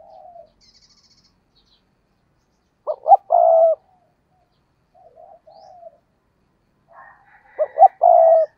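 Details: Decoy spotted dove giving intense cooing. Two full phrases about five seconds apart, each two abrupt notes and a prolonged low hoarse coo. Softer coos fall between them, with a faint high chirp early on.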